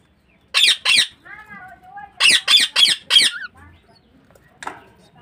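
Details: Budgerigar in a domestic breeding setup utters paired, then quadruple, rasping squawks, with a brief wavering voice-like sound between the groups and a faint knock near the end.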